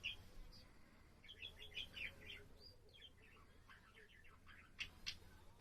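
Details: Budgerigar kept as a pet, singing on 7 April: quick bursts of chattering, buzzy chirps tumbling together, a brief pause, then more chatter ending in two sharper squeaks over faint room hum.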